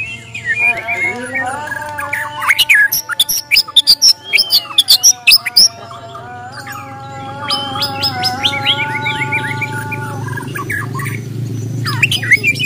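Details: Fighting song of a Bornean white-rumped shama, used as a challenge. A rich, fast mix of rising whistles and sharp chattering notes comes in quick bursts. A constant droning hum and low rumbling background noise run under the song.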